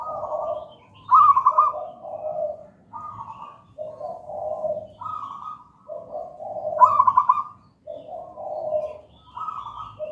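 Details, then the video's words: Zebra dove, local wild bird of gedang rojo style, singing as a master song and lure: steady series of coo phrases alternating higher trilled notes with lower mellow ones, roughly every second, with stuttered openings twice. "Perkutut lokal gedang rojo gacor merdu"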